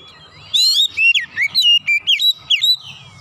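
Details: Oriental magpie-robin in a rapid 'nembak' burst, unloading its repertoire: loud, clear whistled notes with sharp upward and downward sweeps, given in quick separate phrases about every quarter second, over a faint low hum.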